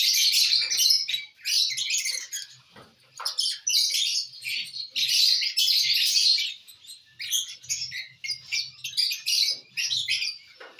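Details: Lovebirds eating corn on the cob keep up continuous high, harsh chattering squeaks, pulsing about three to four times a second, with faint low rustling beneath.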